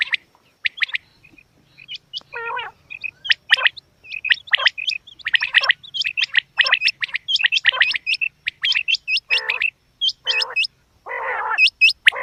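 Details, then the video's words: Calls of a female quail: dense, irregular series of sharp high chirps and squeaky hooked notes, several harsh rasping bursts mixed in, growing busier toward the end. "Batair Ki Awaz Quail Sounds bedana ovozi Bedana makiyon bedana sayrashi bedana sayroqi"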